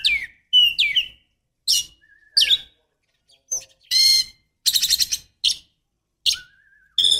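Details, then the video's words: White-rumped shama, female, calling to stimulate a male into song: separated bursts of sharp chirps and harsh buzzy notes with a few short whistled slurs, irregular gaps between them. "Pancingan kacer betina"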